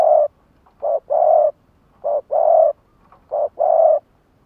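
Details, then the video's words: Spotted dove used as a lure for wild birds, giving three rich, hoarse cooing phrases in quick succession. Each has a short note then a long, steady, burry coo, against a quiet background. "Tiếng cu gáy mồi gáy gọi kích bổi"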